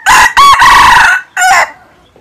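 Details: Red junglefowl crowing: one short opening note, a brief second note, then a long harsh drawn-out syllable, followed after a pause by a clipped final burst that drops away abruptly; no other sounds.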